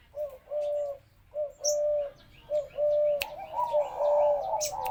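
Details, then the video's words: Spotted dove kept at home, cooing in a steady pattern: a short note, then a longer, level hooting note, repeated about once a second, ending with a sharp click and louder blended coos. "Cu gáy nhà em"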